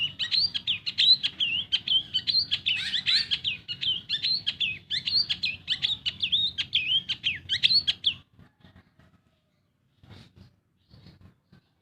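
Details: Long-tailed shrike, a pet bird, singing as a lure to get silent birds to sing: a fast rambling chattering song of mixed whistles and squeaky notes for eight seconds, then near silence with faint clicks.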